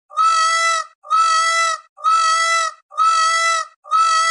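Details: Peacock or peahen call: five loud, level, harmonically rich wails of just under a second each, repeated at an even pace with short silent gaps between them.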